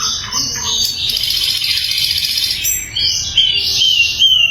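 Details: Energetic song of a sikatan londo flycatcher, recorded loud and clear for training other songbirds. A dense, rasping, high warble runs for about two seconds, broken by short notes, then sweeping whistled phrases rise and fall.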